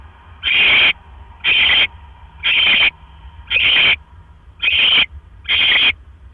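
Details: Repeated harsh hiss-screeches at a barn owl nest in the early hours of 12 October 2015 as the male delivers a mouse; six noisy bursts about a second apart over a faint hum.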